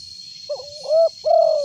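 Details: Loud-voiced spotted dove, kept as a lure bird: a short soft note, then two drawn-out hooting coos, the last the longest and loudest, over a steady high whine and a pulsing high hiss.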